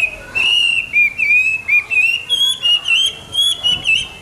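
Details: Hwamei singing in the morning: a long run of clear whistled phrases held near one pitch, with small rises and twists, broken into short bursts roughly once a second over faint background hiss.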